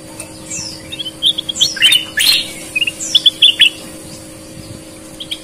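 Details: Sooty-headed bulbul in full song, red-eyed versus white-eyed birds: clusters of sharp chirps and quick downslurred whistles arriving in bursts with short pauses, a faint steady hum underneath.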